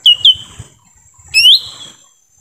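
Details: Lesser green leafbird in forest, lure sound to attract wild birds: two quick falling whistled notes followed by one longer rising slurred whistle, clear against a quiet background.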